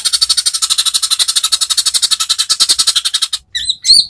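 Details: Greater green leafbird song used as tutor material, rich in 'tembakan' bursts favoured by judges: a long very fast buzzy high trill of rapid pulses, then a pause and two separate twisting whistled notes.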